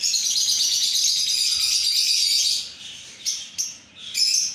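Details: Blue lovebirds chattering: a dense, unbroken stream of shrill, high twitters and chirps fills the first half, then a lull broken by a few sharp, separate squeaky bursts.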